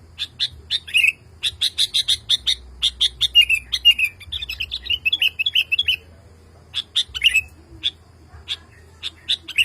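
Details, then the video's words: Calling to a female, a male sooty-headed bulbul goes into restless, nonstop calling after hearing another bulbul: rapid strings of short chirps, about two per second, mixed with wavering downslurred notes, and a pause midway. "SUARA BURUNG KUTILANG JANTAN GACOR MEMANGGIL BETINA"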